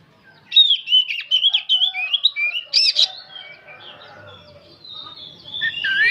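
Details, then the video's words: Singing old oriental magpie-robin: rapid run of bright whistled notes and a sharp chatter, then quieter, sustained high whistles trailing off. "Kacer tua jiwa muda nyerecet bunyi tanpa henti"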